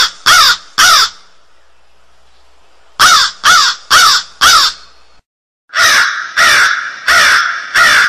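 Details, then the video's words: Crow uttering rasping caws in clusters: two quick calls, a silent gap, four evenly spaced calls, then a run of five rough, slightly longer caws. "Real Crow Sounds"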